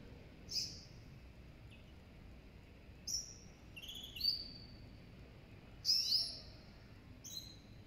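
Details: Serin and goldfinch hybrid giving scattered, short, high chirps, some doubled and gliding down, spread across about eight seconds against a quiet background hiss.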